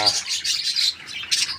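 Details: Parakeets from a small home colony, 14 January 2025, uttering quick bright chirps and squeaky notes in a steady stream.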